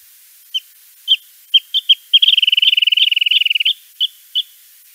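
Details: Wrentit song recorded in California: a few spaced, high whistled notes speed into a rapid bouncing trill of ever-shorter notes, like a falling ball, with scattered single notes from a second bird before and after.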